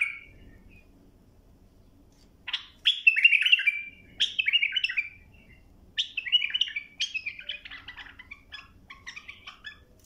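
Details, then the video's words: Bulbul song recorded for tutoring young birds: loud, clear warbled phrases of whistled, slurred notes, delivered in bursts separated by short pauses, with a faint low hum behind. "للتلقين وتخريج تغريد صافي"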